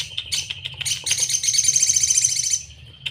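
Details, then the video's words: Sogon (Crimson Sunbird) tutor song, sejalur style: scattered sharp high ticks build into a long, rapid, rattling high-pitched trill that fades out, followed by a final chirp, with low background hum throughout. "Masteran sogon sejalur paling mudah diingat || Suara asli sogon"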